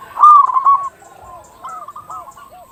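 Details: Brief loud zebra dove phrase, a local bird used as lure audio: a fast, trilled run of coos in the first second, then soft, distant rolling coos from other doves.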